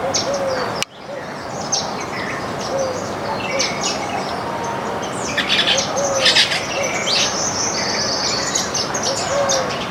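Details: Flock of Baya weavers eating grains in a backyard: dense, overlapping high chirps and short tweets scattered throughout, with several soft, low curved whistles repeating in the background.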